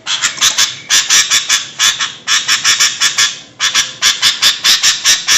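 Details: Sooty-headed bulbul calling noisily, a recording used to lure birds; loud, rasping chatter notes repeated quickly in two long runs, with a brief lull in the middle.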